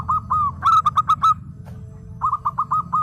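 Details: Perkutut, a local zebra dove, singing: two quick strings of short, rolling coos, each note slightly dipping, separated by a brief gap, over faint low hum.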